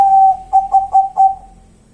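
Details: Local wild zebra dove giving a spooky-sounding call: one drawn-out low whistled coo followed by four short, evenly spaced hooted notes at the same pitch, fading at the end, with no other clear sounds.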